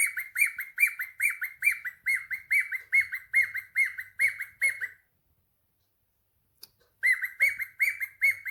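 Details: Pet cockatiel answering a phone call with a steady string of sharp chirps about two per second, a two-second silence, then the same chirping returns.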